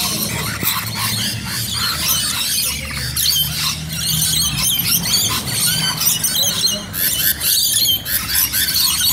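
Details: Flock of rainbow lorikeets in Bonnyrigg screeching together: rapid, high, grating squeals layered thickly with no pauses, faint low rumble underneath.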